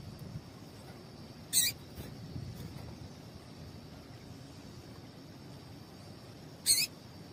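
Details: Female Double-collared Seedeater (Coleiro) call, used to stimulate or warm up males so they keep singing: two brief, high, thin peeps about five seconds apart, over a faint hiss and a steady high hum.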